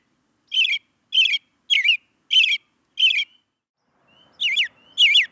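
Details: An American robin chirps in sharp, squeaky notes repeated roughly twice per second. Five even calls come first, then after a brief gap two more arrive, each with a bending downward slide.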